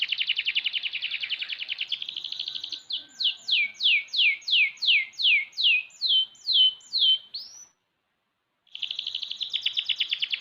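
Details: Young canary, six months old, singing: a fast trill gives way to a run of about nine clear downward-swept notes, a rising note, a short silence, then the quick trill resumes.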